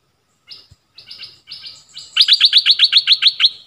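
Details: Nok dok taeng decoy bird calling for a mate in a forest, 13 January 2021. Soft drawn-out notes build into a loud, evenly spaced run of about ten sharp chirps.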